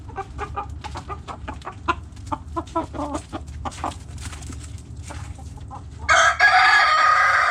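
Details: Backyard chickens: hens cluck in quick short bursts for six seconds, then a rooster bursts into a loud, sustained harmonic crow to the end.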